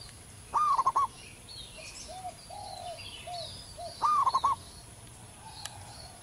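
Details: Zebra dove singing in the wild, local bird with a big, long voice: two loud rolling coo phrases about three and a half seconds apart, softer lower coos and distant chirps in between.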